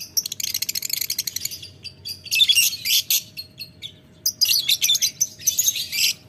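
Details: Lovebird ngetik ngekek calling toward a rival: a quick run of clipped ticking notes, then a pause, then louder harsh chattering bursts that break off and resume; faint low hum in the background.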